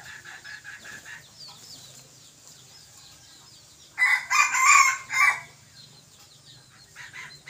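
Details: A young decoy junglefowl cockerel, recorded 21 May 2023, gives one rough, ragged crow lasting just over a second. Softer chirps and a distant crow sound before it, with steady low hum and high hiss throughout.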